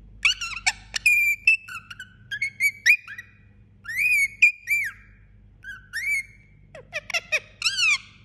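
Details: Pet Indian ringneck parakeet making sounds while asleep indoors: a busy run of whistled notes, sliding chirps and short squeaky squawks, many with rising or falling pitch, coming in quick bursts throughout with brief pauses; faint low hum in the background.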